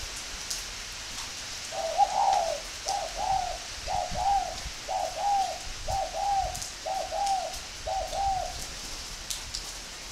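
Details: A northern-type spotted dove at a breeding farm in Ba Vì, Hanoi, delivers a rhythmic run of seven similar coo notes, roughly one per second, each a short rounded swell, over quiet hiss with a few clicks.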